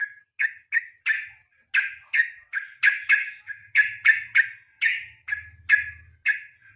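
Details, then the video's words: Evening song of a yellow-vented bulbul, used as a lure and master recording for training competition songbirds. Varied, slightly lower notes come as quick, energetic chirps and short bursts in a lively, irregular run, with a brief low hum near the end. "KICAU PANCINGAN BURUNG TRUCUK SORE HARI"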